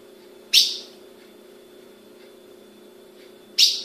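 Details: Two short, piercing chips about three seconds apart from a female ultramarine grosbeak held by a Brazilian breeder, over a low continuous hum.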